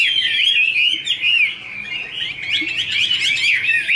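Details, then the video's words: Chinese hwamei female singing, male in the background, kept bird: rapid wavering whistles running almost without pause, rising and falling, with a fuller burst of mixed notes toward the end. "Chim hoạ mi: Mái te đỉnh cao của năm _ có chim trống làm nền"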